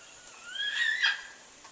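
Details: A large bird kept as a pet on a back porch, crying nonstop on January 4, 2014; a single drawn-out screech that rises steadily, then peaks in a harsh burst before fading.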